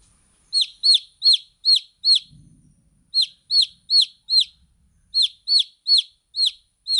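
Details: Baby chicks peep in three bursts of four to five high, descending notes each, the calls evenly spaced and separated by short silences.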